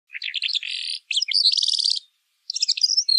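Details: Pailing bird singing in a pekling style: high, rapid chattering phrases of buzzy trills and quick notes in two bursts, a short pause, then a third burst of bright chirps.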